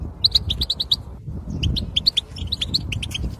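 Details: European goldfinch twittering, used to stimulate males to sing: rapid bright chirps in quick bursts, a short pause, then a second run of liquid, tinkling notes over low background rumble.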